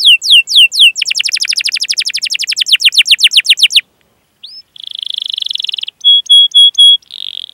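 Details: Canary 'cuit cuit' rolling song to encourage young or silent canaries to sing: whistled notes, a long fast trill, a short pause, then a buzzy roll and high whistles.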